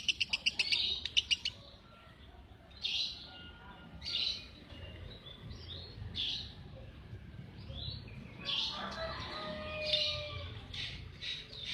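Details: Lovebird calling in short bursts: a quick run of sharp, rapid clicks at the start, then scattered high squeaky chirps and buzzy notes with gaps between them, over a faint low background rumble.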